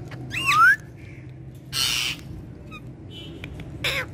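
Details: Green parrots kept at home: a bright, sharply rising whistled note, followed by two harsh, broad squawks roughly two seconds apart, with faint short chirps between them over a steady low hum.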